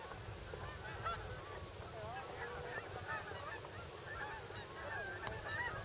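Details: A migrating goose flock coming into Bombay Hook National Wildlife Refuge, Delaware, USA; dense overlapping honking and yelping from many birds over a low background rumble.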